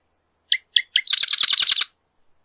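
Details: Marsh wren song: three spaced clicking introductory notes, then a fast dry rattling trill of about ten buzzy repeated notes lasting about a second.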